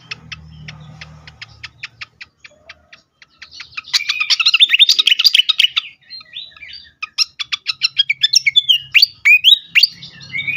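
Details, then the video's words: Agitated fantail singing, used to lure birds and stimulate them to sing: an even run of sharp high ticks, then a loud dense burst of scratchy chatter, followed by rapid ticking and quick downslurred chirps, with a low hum at times. "sikatan kipas ngamuk sekali dengar cocok untuk pikat dan rangsangan bunyi burung bahan"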